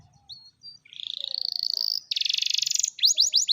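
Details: Canary song aimed at prompting non-singing canaries, with short whistles, a rising rapid buzzy trill, a dense high rattle, then a few quick upward-curving notes.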